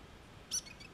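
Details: A grey fantail at its nest during an egg-sitting changeover between the pair gives one short, very high, thin chip, followed by faint softer echoes against a quiet background.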